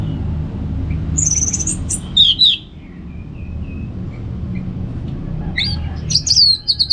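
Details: Orange-headed thrush, a cage bird in northern Bali, giving high squeaky whistled notes and short rapid buzzy phrases with quiet gaps between, above a constant low hum.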